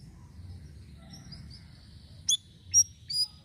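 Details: Sirisiri vocal variation for luring birds: faint thin whistles, then three loud sharp high chirps spaced about half a second apart over a low background hum.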